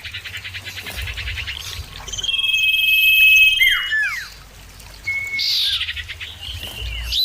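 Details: Common iora in a loud lure recording of answering birds: soft pulsed ticking leads into a long steady whistle, then two swooping downward notes and a later short high whistle.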